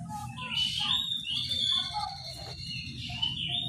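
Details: Oriental magpie-robin singing in the morning in the full, open ngeplong style meant to provoke rivals into answering; thin whistled phrases run high and steady above a constant low rumble of background noise.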